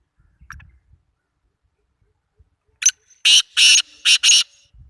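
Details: Black francolin in Sindh, Pakistan: one loud rasping phrase of about five grating notes in the second half, preceded by faint low thumps.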